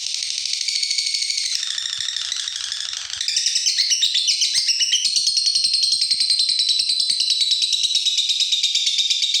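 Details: Lutino fighter lovebird calling to an opponent: a loud, dense, rapid high-pitched chattering and ticking, sharp notes running together continuously throughout, growing louder and busier after the first few seconds.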